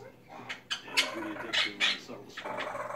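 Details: Pet Quaker parrot talking indoors: harsh, raspy bursts of speech-like chatter come in quick irregular syllables about every half second, some sharper squawky notes, with low background hum.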